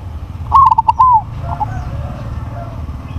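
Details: Crossbred zebra dove with a big voice sings one rolling cooing phrase: a quick run of short, stuttering notes ending in a longer, drawn-out falling coo, over a low background rumble.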